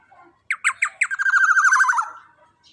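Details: Young black-naped oriole, large and loud-voiced: a few harsh, scratchy squawks followed by a nasal, rolling trill that slowly drops in pitch and fades out.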